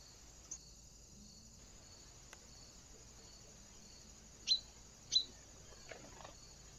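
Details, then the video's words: Great spotted woodpecker at a trail camera on 2 October 2024, giving two loud, sharp, abrupt kik notes under a second apart, with fainter ticks after and a steady high pulsing drone throughout. "PICCHIO rosso maggiore - great spotted WOODPECKER"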